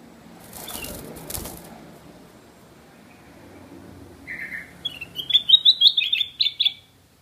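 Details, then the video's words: A black-crested bulbul gives a brief low note, then a quick, bubbly run of bright, high warbled notes lasting about two seconds, with wing flutters just before. "Black Crested Bulbul is calling loudly - Bulbul song"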